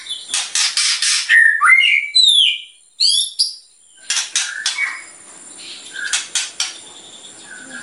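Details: White-rumped shama singing actively, its bursting phrases said to rile other birds: sweet whistled slurs rising and falling, short bright chirps, then rapid harsh raspy notes in uneven series, with a fainter rasping phrase toward the end.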